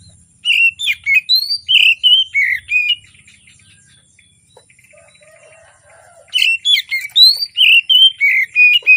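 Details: Oriental magpie-robin singing strongly in the morning to spur quiet birds into song: fast strings of bright, twisting whistles and chirps, broken by a pause of about three seconds before a second vigorous burst.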